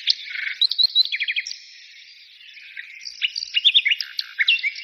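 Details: Birds singing with bursts of clipped, staccato chirps and a short descending trill, then a brief quieter gap before more bright twittering.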